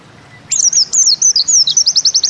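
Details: , Bustomi-type white-eye (pleci) singing in the 'nembak ziperrr' style: a brief high, thin twisting warble that breaks into a quick run of sharp repeated notes, all very high-pitched over faint background hiss.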